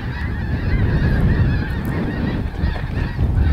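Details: Flock of 100+ snow geese, mostly mature adults with a few immatures and dark morphs, flying high over Buck Creek State Park, Grant Road access, Sunday April 6 2011: many overlapping distant honking yelps over heavy low wind rumble.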